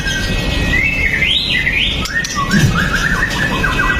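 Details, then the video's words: White-rumped shama, Pastol type, singing a fighter's provoking song at other males, captured with a Xiaomi Note 8 Pro. Smooth looping whistles rise and fall, followed by a softer warbled phrase, with constant low background noise. "MURAI BATU PASTOL JAHAT BIKIN MURAI LAIN TIDAK BISA DIAM!"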